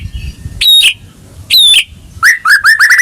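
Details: White-rumped shama song for prompting a caged bird that refuses to sing; two loud high whistled downslurs about a second apart, then a quick series of short rising chirps.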